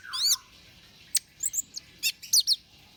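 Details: Orange-headed thrush song for luring birds: a falling, slurred phrase opens, followed by spaced, sharp, very high chirps and brief trilled notes against a quiet background.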